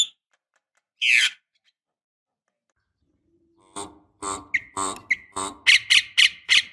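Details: Javan myna, female calling to a male as a lure: after a lone harsh squawk and a pause, a quickening sequence of hoarse, clipped notes mixed with short whistled chirps.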